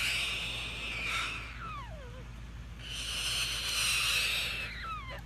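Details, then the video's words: A male cockatoo perched on his owner's shoulder, beak next to the owner's ear to get attention, gives two long breathy hisses of about two seconds each, with thin falling whistles trailing off, over a low hum. "Cockatoo Makes Hissing Noise Next to Owner's Ear"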